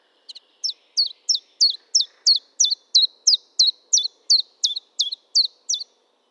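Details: Common chiffchaff singing: a steady series of high, sharp, down-slurred notes at about three per second, around sixteen notes in an even, chiming run, with no other sounds audible.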